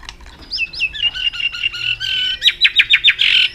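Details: White-rumped shama singing a long aggressive, tail-flicking display song meant to stimulate other birds: varied clear whistled slurs around mid-high pitch, then a run of about five sharp rapid notes and a harsh burst at the end.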